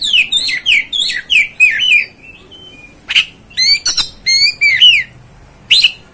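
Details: Oriental magpie-robin phrases of rapid, downslurred whistles, followed by a short pause and then scattered sharp notes with rising and falling whistled calls, clear against a quiet background.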